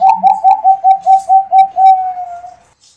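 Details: Bangkok-type zebra dove of contest stock, singing vigorously: about nine quick, rounded cooing notes at roughly four per second, then one long, steady final coo that fades out. No other sounds are heard.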